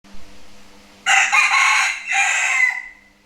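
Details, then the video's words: A rooster crowing at noon: after a faint low hum, one loud, harsh, strongly harmonic crow begins about a second in, then breaks into a second drawn-out phrase that fades near the end. "Tiếng gà gáy trưa"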